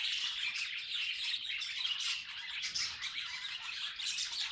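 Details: Pet budgerigar chattering in a fast, dense stream of scratchy, squeaky warbles and chirps, high-pitched and continuous with brief louder squawks scattered throughout.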